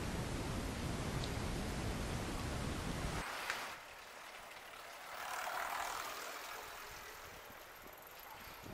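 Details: Loud engine-like roar cuts off after three seconds to quiet ambience with one sharp crack, and no animal calls.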